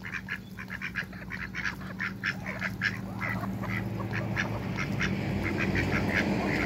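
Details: Backyard Muscovy duck couple among waterbirds, giving rapid hoarse calls repeated about two or three per second, then fading into rising broadband rushing noise.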